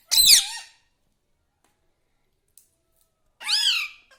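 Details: Pet parrot said to talk, calling mummy and papa: a harsh, bright opening note, about three seconds of silence, then a second rising-and-falling harmonic utterance.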